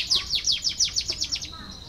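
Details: Canary song used to prompt lazy canaries to sing: a short run of quick, downward-sweeping chirps repeated about every tenth of a second, fading into a thin trill.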